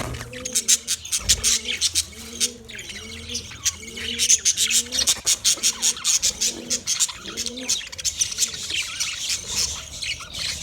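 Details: Budgerigar chatter of fast, scratchy high chirps runs throughout, while a dove coos steadily in the background, repeating roughly every second.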